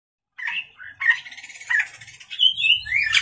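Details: Oriental magpie-robin singing vigorously at night: a varied run of whistled and chattering phrases around mid pitch, with short pauses and faint low rumbling in the background.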